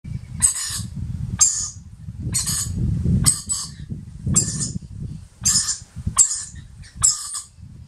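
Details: A young rainbow lorikeet (Trichoglossus moluccanus), newly brought by an adult to a table near the Gold Coast, Australia, one morning, gives harsh, raspy begging squeaks about once a second, eight in all, over low handling noise.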